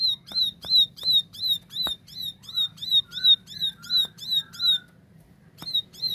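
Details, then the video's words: Plain Prinia of rice fields singing clearly, repeating a high, sharp, buzzy note about three times a second, with occasional short lower whistles and a few clicks. "Tembakan Gacor Jernih Ciblek sawah"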